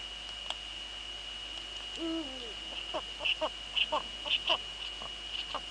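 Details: Evening at a Eurasian eagle-owl nest in the Netherlands, 19:15 on 2 February 2013, female sitting, male nearby. A short low call with a downward bend comes at two seconds, followed by a run of quick clicks and taps over a steady electronic tone.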